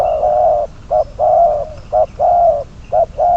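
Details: Decoy spotted dove, bird number 22, used for trapping, calling with deep mellow coos: drawn-out notes broken by brief clipped ones in a steady alternating rhythm.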